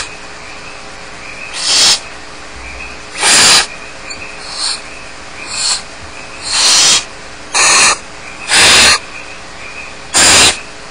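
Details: Barn owl nestlings alone at home at Starr Ranch, hissing to beg. Short, scratchy bursts come irregularly at first, then quicken into a run of louder rasps near the end.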